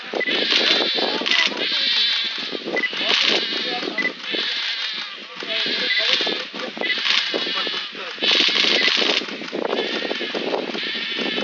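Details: Hungry Painted stork chick begging its mother for food; repeated hoarse, bleating rasps in bouts every second or so, harsh and broadband, continuous over the recording.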